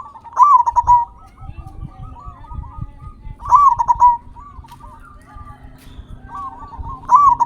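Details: Zebra dove of local stock, kept caged, cooing loudly to goad silent or stressed doves into singing and to stir breeding drive; bursts of rapid rolling coos return about every three seconds over low background rumble.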